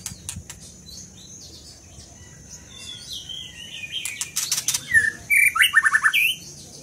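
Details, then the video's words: Scarlet minivet in song: soft high twittering at first, then a loud closing run of quick, clipped, slightly descending whistled notes repeated several times in rapid succession, with sharp clicking sounds mixed in just before. "Lửa siêu hót"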